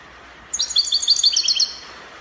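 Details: European goldfinch, Morocco, in Spanish copia song style, a single one-second flurry of quick, high, glittering chirps over steady faint hiss.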